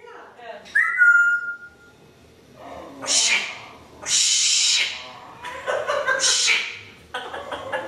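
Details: African grey parrot cussing, burping and coughing: a short whistled tone, then several harsh, breathy bursts like coughs and rough voice-like sounds, each lasting about half a second to a second.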